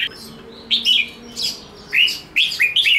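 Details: Red-whiskered bulbul singing a fighting song: short bright whistled phrases, each dropping in pitch, given in bursts with brief pauses between.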